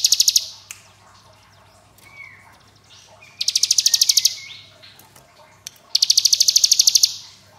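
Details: Fast staccato trills from a hill prinia in ngebren style, three pulsed high bursts spaced by quieter stretches with a faint rising-falling whistle and occasional sharp clicks.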